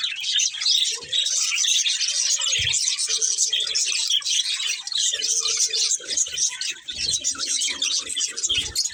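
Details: Budgerigars keep up a constant shrill chatter of twittering chirps, with faint lower humming tones and soft background sounds underneath.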